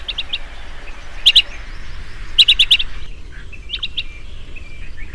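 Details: Bursts of bright, short chirps from a chestnut-headed bee-eater, an insect-eating bird. Groups of two to four quick notes recur at irregular intervals, and quieter chirps and a low rumble sit in the background.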